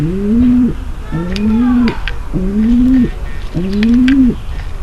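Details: Mating call of a female pigeon, used to get males ready to mate: four long, low coos roughly every second, each swelling upward then holding level before dropping off, in a small room.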